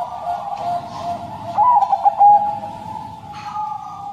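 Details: One short phrase of gentle, bubbling, stuttered coos from a Bangkok crossing zebra dove, kept caged and used to coax silent doves into singing, heard above a steady humming drone.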